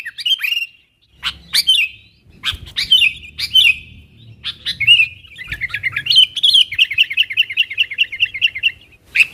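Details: Energetic sooty-headed bulbul calling for wild companions, a recording used to lure wild birds near: several sharp, bright separate notes, then a rapid, even run of about a dozen chattering notes lasting nearly three seconds.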